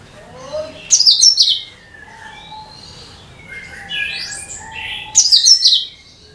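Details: Lure recording of cucak kinoi bulbul song: a loud bright burst of rapid descending notes, a stretch of soft rising and falling whistles, then another loud tumbling phrase.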